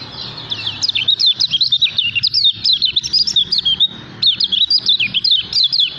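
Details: Kecial kuning, or lemon-bellied white-eye, praised as a gacor singer and future champion with continuous ngejos delivery: rapid chattering strings of sharp, high, up-and-down notes in close runs, with a short pause midway before the next burst.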